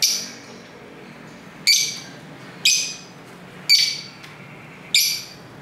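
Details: Lovebirds chattering to each other at home near a main street, camera mic: five sharp, shrill squawking chirps spaced about a second apart, with low street hum between.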